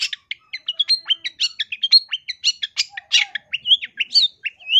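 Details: Long-tailed shrike singing loudly and vigorously for bird training: a continuous, rapid medley of short whistles, chirps and upslurred notes, varied and busy throughout.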